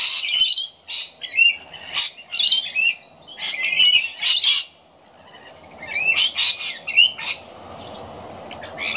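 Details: Rainbow lorikeets feeding in the afternoon give sharp grating screeches and chattering notes in quick clusters, then fall quiet for about a second before more shrill calls resume.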